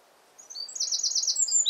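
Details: Brief stretch of a wren singing in full voice, competing with the wind: high thin notes lead into a fast, shrill, rattling trill.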